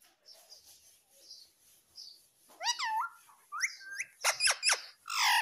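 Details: Talking parrot, said to say mummy and papa; soft murmuring, then rising and falling harmonic phrases and a run of quick, loud squawky notes at the end.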